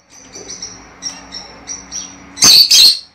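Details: Lovebird, in sounds used to encourage breeding: soft, thin high notes repeated several times a second, then two loud, harsh screeches at the end.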